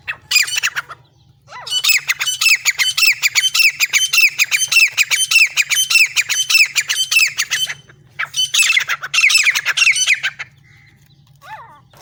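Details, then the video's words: Francolin (teetar) calling, a recording used for partridge hunting in jungle: loud, harsh, rapid squawking notes repeated in dense bursts, briefly broken after the first second and again around eight seconds, then fading. "teeter sound good video francoline teeter hunting partridge"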